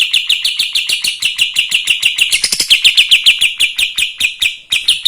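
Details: Kapas tembak singing to provoke other birds, a continuous string of quick repeated notes. A short rougher, blurred stretch falls in the middle, and the clipped rhythmic notes then continue to the end.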